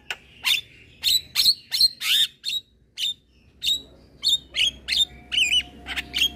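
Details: Young male black-winged starling in a cage, head-bobbing, master recording for training: a steady series of short sharp chipping notes about three per second, some with whistled tails, ending in a wavy whistle.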